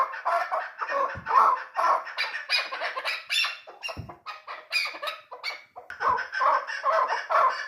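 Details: Three-year-old hunting chukar partridge described as a dulan bird. Loud, raspy chuckling notes repeat steadily in continuous rolling series, about two notes a second. A few low thumps come through between phrases.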